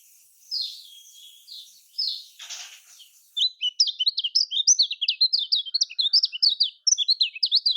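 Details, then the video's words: Lemon-bellied white-eye (kecial kuning) typical of Lombok: a few soft high notes and a rustle, then a lively, dense stream of sharp, bouncing chirps. "Kecial Kuning Paling Suka Ini Untuk Kecial Kuning Kurang Ngacor"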